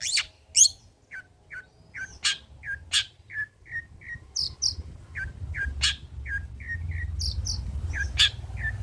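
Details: A long-tailed shrike sings old-style mimicked material for luring and tutoring pentet trotol. Short mid-pitched whistled notes repeat about every half second, broken by sharp high clicks and high chirps.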